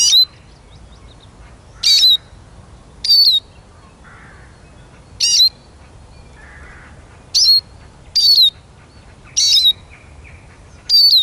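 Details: Eurasian siskin giving eight loud, sharp, buzzy notes, each ending in a thin downslurred whistle, spaced irregularly one to two seconds apart, with a couple of soft lower notes in the quiet gaps.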